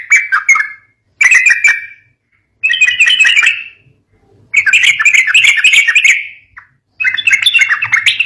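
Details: Sooty-headed bulbul song, presented as suited for luring and stimulating young bulbuls in fighting-style singing; five loud bursts of bubbly, chattering warbled phrases, each about a second long, separated by brief silences with faint low hum.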